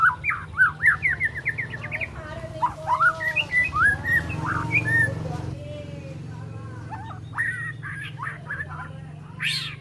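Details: Three-month-old juvenile white-rumped shama, still spotted, learning to deliver its imitations, harsh besetan phrases and sharp 'shot' notes. A quick run of varied whistled notes, rising and falling, with short pauses, over a steady low hum.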